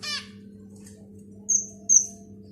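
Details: Finch chicks heard as one harsh buzzy chirp, then two piercing, high thin whistles about half a second apart, against a faint low background hum.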